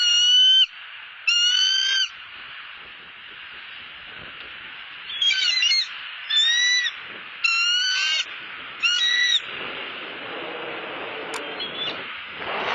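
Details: Hungry bald eagle at a Southwest Florida nest, recorded by a nest camera on 12-08-15, giving shrill whistled squeals in short bursts, two early calls then a cluster of four, over a steady hiss of wind or background noise.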